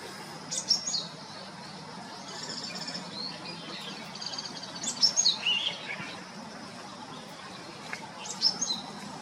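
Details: Japanese Tit calling, a familiar wild bird: scattered high thin chirps and short notes in bursts around one, five and eight and a half seconds, with a quiet outdoor background between.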